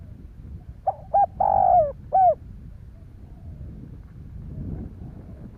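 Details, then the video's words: One cooing phrase from a spotted dove in Vietnam used to excite other doves: two quick notes, a long falling coo, a short end note, followed by a stretch of rustling background noise. "Tiếng chim cu gáy kích bổi"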